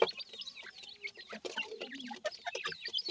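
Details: Grey francolin chicks (dakhni teetar) peeping softly: thin, high chirps and short rising whistles repeated irregularly, with faint lower clucking notes and light rustling.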